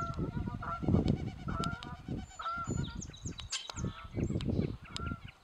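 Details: Spring chorus at Carden Alvar: Canada geese honk in loud, nasal bursts, with frogs calling and higher chirps of other birds; the area also held checking Red-winged Blackbirds, a thumping Downy Woodpecker and distant whirring Wilson's Snipes.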